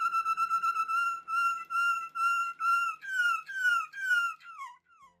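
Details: A Malinois Waterslager canary sings pure, flute-like whistles in rhythmic pulses, ending in falling, bubbling, water-like notes.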